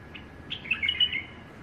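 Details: Tame pet female bulbul singing: a short run of bright, fluttering whistled notes, climbing then wavering, delivered in quick succession over a low background hum.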